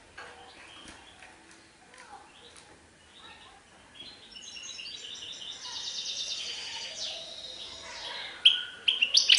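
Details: European goldfinch in Serfati Tiwawati song: quiet, scattered chips at first, then rising high twittering and rapid trills growing louder, with sharp clicks near the end.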